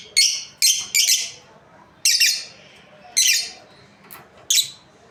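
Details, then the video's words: Lovebirds, a breeding pair, give loud, scratchy, high-pitched chirps, about seven in clustered bursts roughly a second apart, over a quiet indoor background. "Happy lovebirds chirping sounds| breeding pair"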